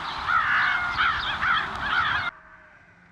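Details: Flying flock of American crows at Montrose Point, Chicago, in fall 2022, giving harsh, hoarse caws, four in quick succession about half a second apart, overlapping as the flock passes, then stopping abruptly.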